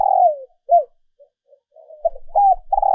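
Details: Female dove call used to excite and lure males: a strong low coo sliding downward, then short soft notes, ending in a loud arched coo and a steady rolling coo.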